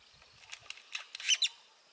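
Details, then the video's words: Great-tailed grackle at Burrows Pond, Sac County, Iowa, giving a quick run of dry, broadband clacking notes that get louder toward the end, with two sharp strong clicks near the close. "Great-tailed Grackle"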